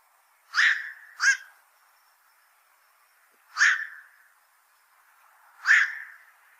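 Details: Black-crowned night heron, described as a heavy fish eater and a fishpond pest: four harsh, croaking barks, the first two in a quick pair, the rest spaced about two seconds apart, with no other sounds.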